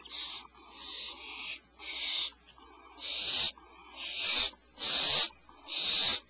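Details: Early-morning owl nest, 04:47 PST, the mother bringing medium prey to owlets that are not very hungry; long hissing screeches, each about half a second, follow one another at uneven intervals.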